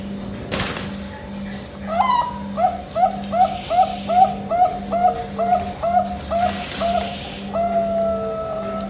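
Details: Zebra dove of the Bangkok type singing the rhythmic cooing prized by keepers across Asia: a steady series of short, mellow cooing notes, roughly three per second, over a constant low electrical hum, with a sharp click near the start.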